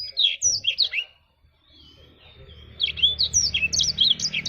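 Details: Short bursts of high, quick chirping from a black-throated canary, called jabrig, with a pause in between and a steady low hum in the background toward the end.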